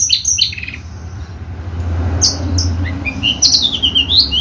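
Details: Horsfield's bushlark of the javanica type, a competition bird with a full repertoire. Scattered short high chirps and quick upslurred notes come in loose bursts over a steady low hum.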